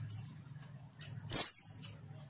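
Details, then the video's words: One loud, drawn-out high whistle sliding downward, preceded by a faint thin note, from a female oriental white-eye used to stimulate silent males, over a low hum. "pleci betina untuk merangsang bunyi pleci bisu"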